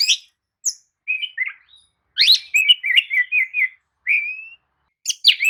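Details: Lure song of the kacer, or Oriental magpie-robin, for stimulating a weak singer: short whistled phrases, a jumbled chattering run of mid-pitched notes, one long rising whistle, then sharp flicked calls.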